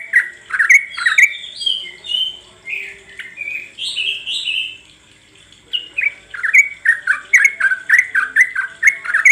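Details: Sooty-headed bulbul voice used to coax birds into song: chattering notes, then rising and falling whistled phrases, a brief pause, and a fast string of bubbly, repeated notes to the end.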